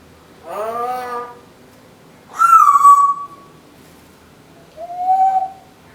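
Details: Pet female Timneh African grey parrot, a talker and singer, gives three separate tonal calls: a rich harmonic rising note, a higher whistle falling slightly, and a soft short whistle.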